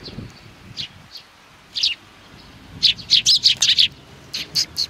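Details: Sparrows on 29 May 2019 give a few scattered chirps, then a rapid series of about eight high chirps, then a few more.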